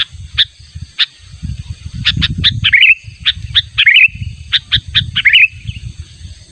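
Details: Sooty-headed bulbul lure recording of natural calls used to draw in a rival: scattered harsh, buzzy chips, then short bright whistled phrases around the middle and near the end, over a low background rumble.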